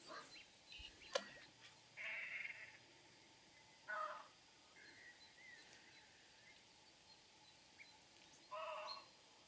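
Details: Great crested grebe on the Nemunas river, Lithuania, giving three separate harsh, rasping calls spaced a few seconds apart, each a short grating burst, with a sharp click early on and a steady outdoor hiss.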